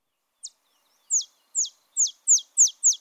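Olive Sparrow song: a series of sharp, high, downslurred chips that come faster and faster, like a metal ball bouncing to rest.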